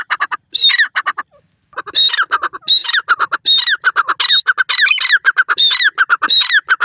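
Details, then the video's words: Grey francolin, called dakhni teetar, giving loud, grating, rhythmic calls: strings of harsh clipped notes, each phrase topped by a sharp whistled element, repeated roughly every half second after a brief pause near the start. "dakhni teetar R next teetar ki boli,teetr awaaz"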